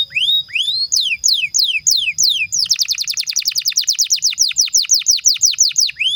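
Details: Canary singing a long, lively 'gacor' song used as a lure and training master for young or non-singing canaries: slow, high, downward-swept whistles, then a rapid rolling trill of closely repeated downslurred notes to the end.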